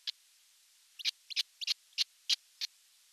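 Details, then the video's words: Chick osprey by itself in a Finnish nest in Satakunta, June 29, 2022; a lone chirp, a pause, then clipped high chirps in quick pairs and singles. "Baby osprey alone in the nest"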